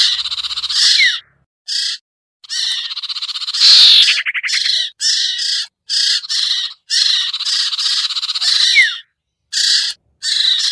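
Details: Sirtu iora lure for birds slow to come down: repeated harsh scratchy chatters in short blocks, a fast rattling trill, and two thin falling whistles among the buzzes.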